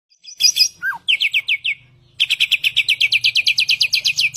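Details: Caged Asian pied starling (samyong) in full song: a slurred descending whistle, then rapid runs of sharp high chirps repeated in steady trains, with a faint low hum behind.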